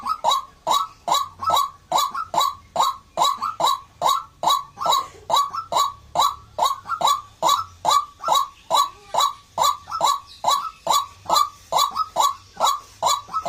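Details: White-breasted waterhen giving a long, steady series of harsh, croaking notes, repeated roughly twice per second with very regular rhythm, loud and close, with nothing else clearly heard.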